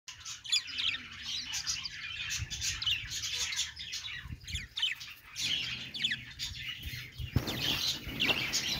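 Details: Budgerigars, Australian parrots, making happy noises: dense, continuous high chattering warble with scratchy chirps and quick rising and falling notes, growing busier and louder near the end; faint low thumps underneath.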